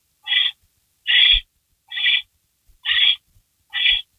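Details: Rabbit delivered to barn owls at night, May 16, 2012, 3:53 AM; five loud, rasping hiss-screeches, each under half a second, repeated at a steady pace of about one per second, with faint low bumps.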